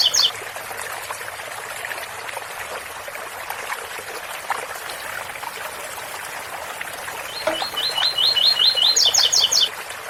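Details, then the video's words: Double-collared seedeater in ouro fino song, 8x4 - 7x4, over a constant trickle of fountain water; a brief note fragment opens, then late on a fast series of evenly spaced chips climbs into several higher, sharper notes. "Coleiro ouro fino 8x4 - 7x4 com som de fonte de agua"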